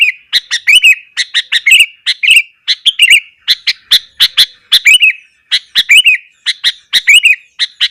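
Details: Sooty-headed bulbul pouring out an intense morning song intended to provoke rival bulbuls: bright bubbly phrases of quick chirps ending in looping warbles, repeated rhythmically about every half second.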